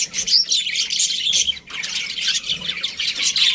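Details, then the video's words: Short stretch of budgerigar chatter: bright, scratchy warbling chirps running almost without pause, with a brief dip midway. "Cute Budgies Chirping Sounds"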